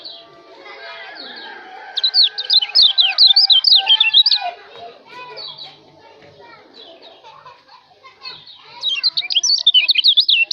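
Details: White-eye from Lombok, recorded as a training song for cage birds: two loud bouts of fast, high, slurred whistled notes, one early and one at the end. Children's voices and softer bird chatter fill the middle.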